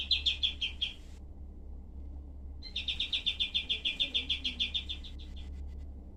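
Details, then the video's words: Tutor recording of a cream-vented bulbul's sharp, dense shooting bursts. A brief volley of harsh notes, a pause of over a second, then a longer run of about twenty rapid raspy notes. A low steady hum runs underneath. "masteran kapas tembak"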